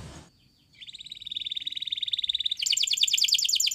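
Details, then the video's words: Canary of the Spanish Timbrado breed singing a training song: a brief call, a short silence, then a long fast bubbling roll that jumps into a louder, higher rattling trill; faint background noise. "Most Spectacular Video Training From Canary Spanish Timbrado"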